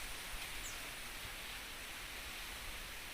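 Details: A steady broadband hiss, like wind or rushing water, with no animal calls.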